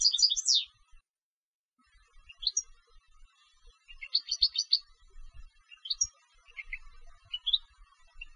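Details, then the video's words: Competition European goldfinch singing: bright twittering phrases high in pitch, a loud trill at the start, a pause of about a second, then scattered quick chirps and tinkling notes with faint background hum. "Canto del Jilguero de Concurso"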